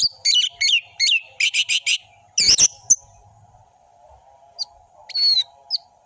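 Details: Varied, energetic orange-headed thrush song for tutoring young birds: rapid clusters of sharp chattering notes, a harsh burst, then scattered high whistles, against a faint continuous steady tone.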